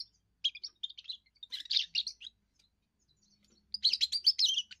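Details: Young European goldfinch singing its first song to defend territory and attract females; twittering chirps and a buzzy burst, a pause with faint low hum, then a final dense, loud twittering phrase.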